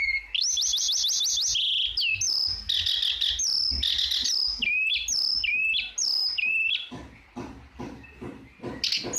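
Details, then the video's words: Energetic flowerpecker song: a fast trill of high looping notes, then a run of varied whistled slurs and sharp chirps, some rising and some dropping, delivered almost without pause. "MASTERAN TLDEKAN GACOR BURUNG TLEDEKAN"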